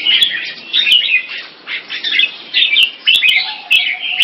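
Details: Singing-contest red-whiskered bulbul (jambul), the first-time winner in Singapore, repeats short bubbly warbled phrases roughly every half second, with occasional sharp ticks and a soft steady hum toward the end.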